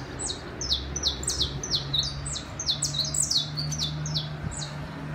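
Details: Saffron finch singing in a city: quick series of short, high, down-slurred chirps, often doubled or overlapping, tumbling along several times a second, over a steady low hum.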